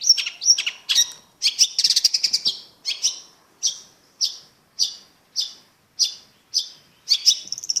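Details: Long-tailed shrike singing in a quiet setting: a burst of rapid harsh chattering notes, then a series of separate rasping, descending calls repeated about every half second.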